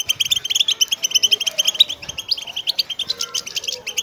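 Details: Group song of wild linnets, aimed at getting goldfinches singing; clear run of rapid high chirps early, then a mass of jumbled twittering trills from many birds.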